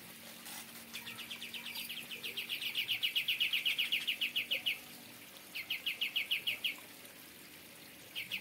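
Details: Greater Green Leafbird in an aviary delivering kapas tembak style song: a rapid, rhythmic trill of repeated slurred notes that swells in loudness, breaks off, then resumes in a shorter burst.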